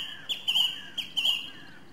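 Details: A song thrush (Turdus philomelos) sings a scratchy, squawking phrase and repeats it at once: two harsh, mid-high bursts under a second apart against a quiet background.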